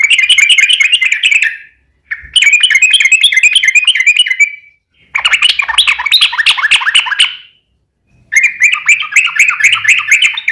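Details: Yellow-vented bulbul giving a long rapid rolling song, meant to lure other bulbuls into singing: four dense bursts of bubbly, chattering notes, each about two seconds long, separated by short pauses.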